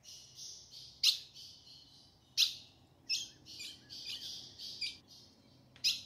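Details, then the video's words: Female ultramarine grosbeak calling in the caatinga of the sertão to make the male sing: a run of about five sharp chip notes at uneven intervals, with continuous buzzy hissing between them. "fêmea de azulão chamando pra esquentar e abrir canto do azulão"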